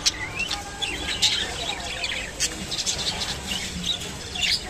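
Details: Rainbow budgerigars eating kolmi shak (water spinach): bright high chirps and short rising whistled notes in a busy chatter, with soft clicks and faint low background hum.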